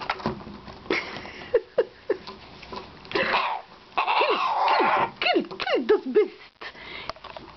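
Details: Pet bare-eyed cockatoo playing and flapping during its morning routine: cough-like noises, harsh raspy bursts, then a run of arching, looping whistled calls with a hoarse edge. Spanish conversation is in the background.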